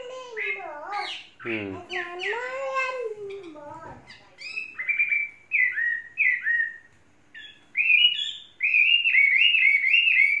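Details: Tame Chinese hwamei kept three seasons, without faults; harsh, wavering low warbles open, then loud clear slurred whistles in short bursts build into a rapid, fluty closing run.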